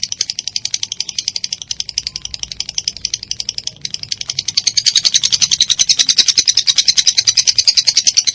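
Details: Lovebird long 'ngekek' chatter, konslet style, used as a training master for songbirds like cendet and murai batu: soft rapid rattling pulses that swell into a denser, louder buzz in the second half.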